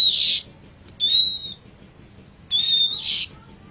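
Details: Long-tailed shrike in a masteran recording: three high notes, the first a short burst, then two clear, level, drawn-out whistles, each slightly rising at the end, separated by pauses of about a second.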